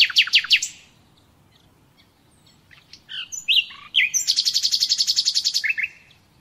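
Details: Nightingale song used as a lesson for captive birds: a few loud sweeping notes, a pause with soft scattered sounds, then a long fast series of identical high pulses ending in two short slurred notes.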